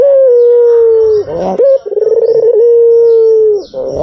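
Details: White dove lure call: a long smooth coo falling slightly at the end, then a short rising note and rolling trill leading into another drawn-out coo.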